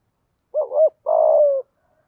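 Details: Morning cooing from a decoy spotted dove luring wild doves: one phrase of a quick double-hump coo, then a drawn-out level coo, clear and loud against silence.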